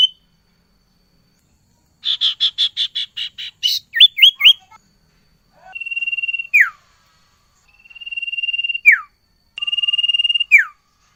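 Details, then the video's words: Sirtu in full song: a burst of rapid buzzy chattering notes, then three long steady trilled whistles, each ending in a quick downward sweep. "burung sirtu gacor ful isian"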